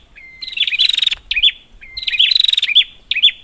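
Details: A prinia's lure call: a short level whistle leads into a fast pulsed rattle ending in hooked notes, then the pattern repeats, high-pitched and clear.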